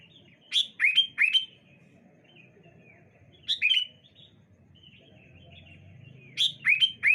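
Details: Sooty-headed bulbuls answering one another on a bright morning; three bubbly whistled phrases of two to four notes, spaced a few seconds apart, over a low background hum.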